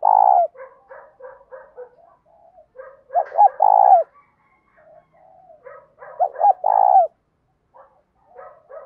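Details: Spotted dove giving its morning call to lure wild doves, a "thổ pha thúc" voice with a full series of coos. Soft low cooing notes lead into two loud phrases, each a quick double note followed by a long drawn coo.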